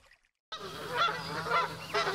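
A wild goose gives nasal, braying honks, about one every half second, over a busy background of overlapping calls.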